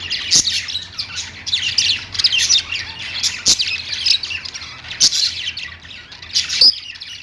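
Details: Caged budgerigars singing while perched: a steady run of high, raspy chattering warble with squeaky notes, broken by several sharp clicks, likely from feet or beak on the perch.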